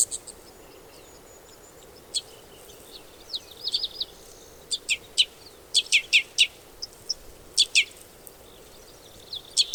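Red Crossbill giving sharp, high kip notes, singly and in quick clusters of two or three at an uneven pace, over a faint steady background hiss.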